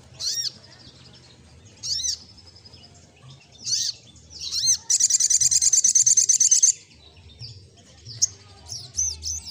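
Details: Olive-backed sunbird singing 'gacor ngleper': spaced high, arched, ringing notes about every two seconds, then a sustained rapid buzzy trill of shrill repeated pulses, ending in a few looping chirps.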